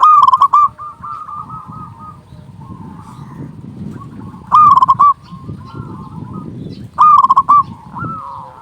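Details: Local zebra dove with a big, steady voice, used as a lure to draw in doves: three loud bursts of quick, rolling pulsed coos, each about half a second, over a continuous background of softer cooing from other doves.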